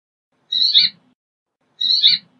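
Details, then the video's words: Brambling giving two rough, harsh notes about a second and a half apart, each with a grating, broken texture. "Brambling Song! Brambling Call! Brambling Voice! - Pinzón Real Canto"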